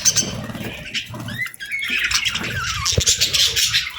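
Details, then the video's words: Parakeets chirping in a summer setting: dense, scratchy high chatter with short rising whistled notes near the middle, over soft low fluttering thumps. "Parakeets Chirping Sounds"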